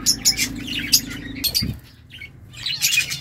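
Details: Pet birds, tagged as budgies, chattering: bursts of short, high chirps and squeaky notes, a lull near the middle, then chirping picks up again over a low background hum.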